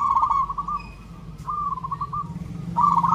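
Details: Local zebra dove singing for a mate: three trilled, bubbling cooing phrases separated by short gaps, over a low droning hum.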